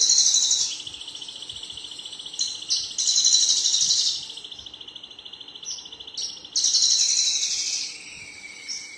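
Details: Male Javan bush lark giving a continuous thin, high trill, broken by louder buzzy bursts every couple of seconds, against constant background noise.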